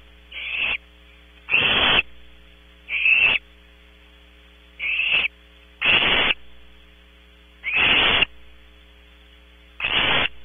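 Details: Barn owl owlets at a nest box cam, Audubon Starr Ranch, California: harsh hissing screeches, seven bursts of about half a second each, coming every one to two seconds, over a steady electrical hum.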